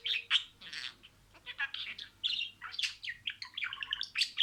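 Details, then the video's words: Pet budgerigar talking, mimicked word-like phrases as harsh warbled syllables and high chirps running quickly together, with a quieter gap near the start. "MUHABBETKUŞU KONUŞMA SESİ"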